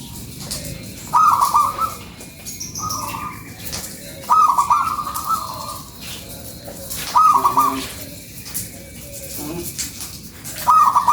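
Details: Local zebra dove lure song, used to attract other doves: short bubbly trilled coos, each about half a second long, come in bursts every two to three seconds over a faint background hiss.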